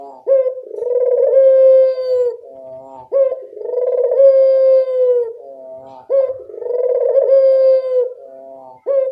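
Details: A vocal Barbary dove kept for training other doves to call repeats its coo roughly every three seconds: a clipped upward hiccup, then a long, steady, rich-toned drone, with soft lower notes between.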